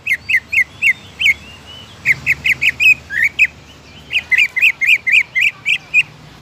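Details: Greater green leafbird song meant to draw other leafbirds into singing: bursts of fast, sharp chirps, about four per second, separated by short gaps, some notes slurred and buzzy.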